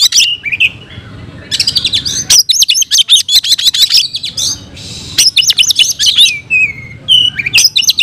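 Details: Oriental magpie-robin delivering fighting song: loud, very high, varied phrases of rapid sharp notes, slurred whistles and harsh buzzy bursts, with brief pauses between outbursts.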